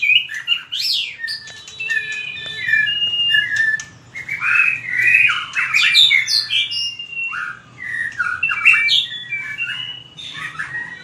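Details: Fighting song of a white-rumped shama, used to train its voice: a long, varied stream of clear whistles and slurred notes at different pitches, with short pauses between phrases.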